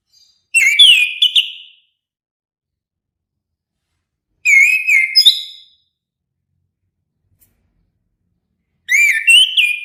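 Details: Three whistled song phrases from an orange-headed thrush, each about a second long and spaced roughly four seconds apart, with mellow sliding notes rising toward the end; quiet background between phrases.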